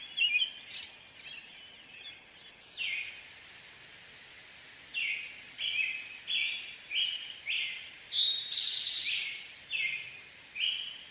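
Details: American robin song: a string of rich, caroling whistled phrases, each slurred up and down, repeated roughly every half second to second, with a faint background hum.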